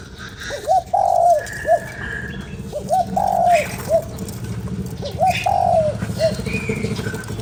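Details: Spotted dove cooing, used to stimulate a decoy bird: three phrases, each a short hooted note, a longer slurred descending coo and a clipped final note, about two seconds apart, over low rumbling background noise.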